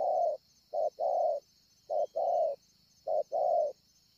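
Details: Wild-caught spotted dove with a scarred breast, Ngọc Hồi, 25 March 2020, cooing well. Three clear doublets sound, each a quick note and a longer warm coo, spaced about a second apart. A steady high hiss runs underneath.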